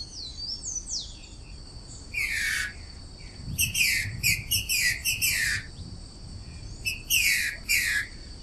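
A female Green-winged Saltator sings short bursts of bright, down-slurred chirping notes in three spaced phrases. A steady high insect whine runs underneath.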